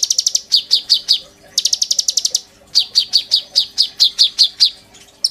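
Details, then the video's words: Master song of an oriental magpie-robin: bursts of rapid high trills alternate with runs of spaced, sharp descending chirps repeated several times, loud and clear with little background noise. "PANCINGAN KONIN GACOR FULL NEMBAK ISIAN TONJOLAN MEWAH, COCOK BUAT MASTERAN KOLIBRI NINJA BAHAN"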